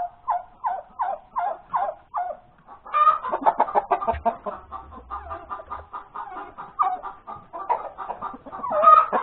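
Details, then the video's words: Hen calling after laying an egg on a Sunday morning, 31 January 2021, at breakfast time: a run of evenly spaced clucks about three per second, then a busier stretch of overlapping clucks and sharper rising squawks. "the crowing of the hen that lays the egg"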